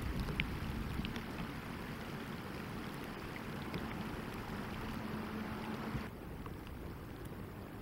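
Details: Steady low rumble like wind or distant water, with no animal calls heard.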